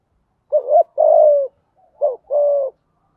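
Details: Spotted dove in deep-voiced 'thúc gù' cooing: two low phrases, each a quick wavering note followed by a drawn-out steady coo.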